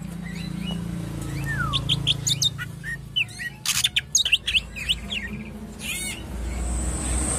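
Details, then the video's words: At a bird kiosk, a caged greater green leafbird pours out varied whistled phrases, slurred downward notes and rapid chirp clusters, with a low background hum. "Cak ijo jos"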